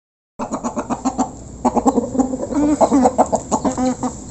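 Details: Local chickens, a flock clucking while being fed, recorded up close: rapid, pulsed clucks repeated several times a second, rising into longer, drawn-out squawking notes later on.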